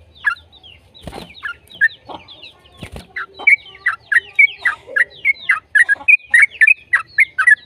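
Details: Yellow-vented bulbul singing vigorously, a recording meant to prompt other bulbuls to sing; after two dull knocks, bright bubbly notes build into a fast, steady chatter of falling slurs.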